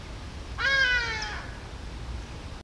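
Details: Female Black Sparrowhawk (Accipiter melanoleucus) on the nest, alarm call at a passing African Harrier-Hawk (Gymnogene): a single drawn-out, nasal, slightly falling mewing cry lasting under a second against a quiet background.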